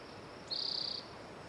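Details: A spotted towhee gives one fast, buzzing trill, high and level in pitch, lasting about half a second against soft background hiss.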